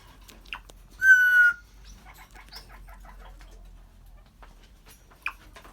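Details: Pet African grey parrot indoors, chatting, laughing and burping: one loud, clear whistled note with rich overtones, held about half a second. Faint chatter and clicks follow, and a short sharp squeak comes near the end.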